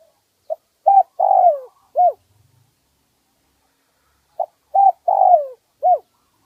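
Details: Spotted dove, wild bird with a medium-pitched voice, recorded for playback to draw doves. Two cooing phrases: a short note, a double note, a long falling coo and a final short coo, with silence between phrases.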